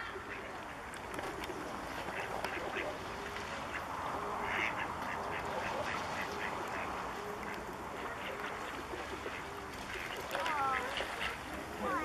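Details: Wintering Bewick's swans near České Budějovice, Czech Republic, February 2014. Many distant birds keep up a murmuring chorus of nasal honks, with a few clearer rising yelps near the end over constant low rumble.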